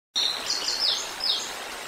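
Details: Juvenile bald eagle about 130 days old, fledged, near a river in Decorah, Iowa, 3 August 2022, calling while a sibling searches for it; thin, high squealing notes in a rapid string, then a second burst, over steady outdoor hiss.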